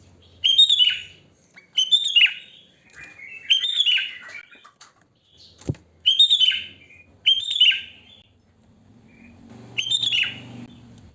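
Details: Sooty-headed bulbul singing its natural wild song without learned fill: five short liquid, warbled phrases, each dipping and rising, spaced about one and a half seconds apart, with a single sharp click midway.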